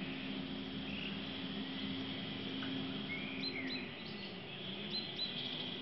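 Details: Birds singing at the Pustki Cisowskie stop: a few thin, high whistled chirps and short sliding notes come and go over a steady low hum and constant background noise.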